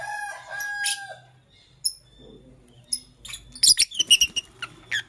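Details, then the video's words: Lovebird in the morning giving steady whistled tones, a pause, then a rapid run of shrill, choppy chirps about every third of a second toward the end. "Sweet Lovebird Sounds - Chirping Sounds"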